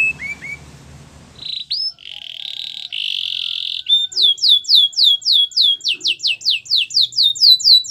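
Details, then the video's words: Belgian canary song opening with a few soft notes and an upswept whistle, then a long rich rolling tone, then a fast even run of sharp descending notes repeated about four per second. "Belgian canary song"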